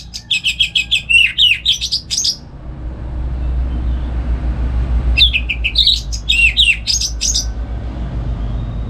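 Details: Morning song of a caged orange-headed thrush in Singaraja, North Bali, used to stimulate and train other songbirds: two long rapid runs of varied, ringing whistled notes, each lasting about two seconds, separated by a quiet gap, with low background rumble.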